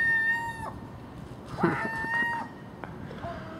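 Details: Early-morning common gull cries at household garbage, with magpie and crow also present; two long, clear, even-pitched wails, the second preceded by a short rougher burst, over low rumbling background noise.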